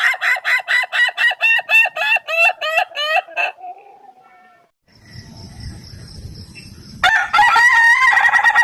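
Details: Ayam Ketawa rooster giving a rapid string of evenly spaced, hiccupping syllables, about three per second, trailing into a held note; after a quiet pause with faint background noise, another burst of fast laughing crow begins.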